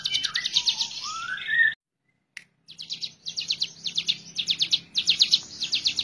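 Hill prinia singing high, buzzy notes in quick repeated bursts, a few per second, opening with some slurred whistles before a brief silence; a faint low hum underneath.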